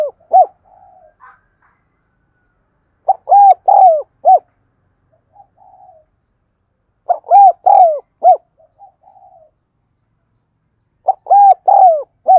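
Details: Spotted dove used as a lure bird, calling: a loud three-to-four-note hollow cooing phrase repeated about every four seconds, with soft murmured notes between phrases.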